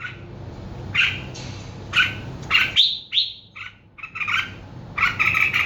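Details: Bird singing: bursts of bright chirpy notes alternating with a couple of sharp, slurred whistles that rise then drop, with brief pauses between phrases over a faint steady low hum.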